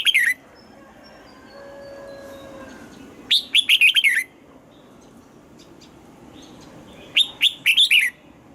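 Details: Red-whiskered bulbul singing at morning practice, coaxed into a wild-style double-note song; lively phrases of five or six clear, jumping whistles repeated roughly every four seconds, with faint thin whistles in the background.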